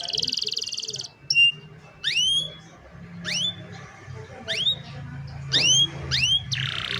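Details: Young canaries singing as a model for other canaries, recorded by phone: a short buzzy roll, then clear whistled upward-sweeping notes repeated about once a second, with scattered buzzy bursts between them and a low hum.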